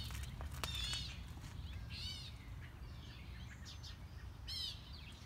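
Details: Enthusiastic mockingbird cycling through its repertoire on a morning walk, never seen: arched, harmonic, mewing notes spaced about a second apart, a few sharp clicks early on, and low ambient rumble underneath.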